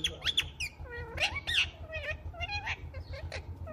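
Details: A pet rose-ringed parakeet (Psittacula krameri) talking: quick, harsh, sliding syllables with bright screechy squawks, about one burst every second, over a steady low hum.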